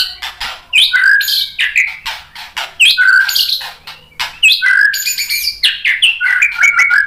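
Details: White-rumped shama song used to provoke other shamas into answering: loud varied phrases mixing low whistled notes, rising slurs and sharp broadband clicks and chatters, delivered in rapid bursts with brief pauses.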